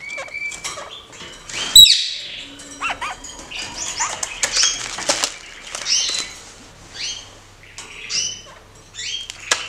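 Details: A pair of caged Kakariki, jumping and playing acrobatically with extra cage space, give scattered short, high chattering and squeaky notes in quick bursts, with wing flutters and a sharp knock near the start.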